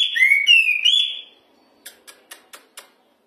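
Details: Hwamei (wambi) singing loudly and persistently: a second of clear, ringing whistled phrases, slurred and sliding in pitch, followed by five short dry clicks spaced about a quarter-second apart, then silence.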